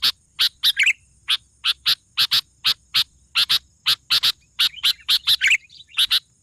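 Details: Sooty-headed bulbul in full, lively song: a steady run of short, sharp, high clicking notes about two or three per second, with brief bubbly warbled phrases slipped in near the start and toward the end.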